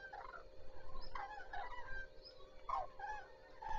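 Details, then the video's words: Common cranes beginning the day at Zastawie reservoir, 14 September 2023: a few rolling, trumpeting calls overlap in quick bursts, moderately close, against a low constant hum. "Żurawie zaczynają dzień"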